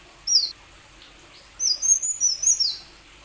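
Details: Plain sunbird song, played to prompt other plain sunbirds. A single high sliding note, a pause of over a second, then a rapid twittering flurry of thin, very high notes.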